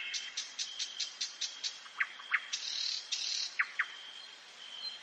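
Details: Common nightingale singing at night in a forest: a quick series of sharp ticking notes, a buzzy rasping phrase, then pairs of steeply falling whistles, over a steady high insect-like whine.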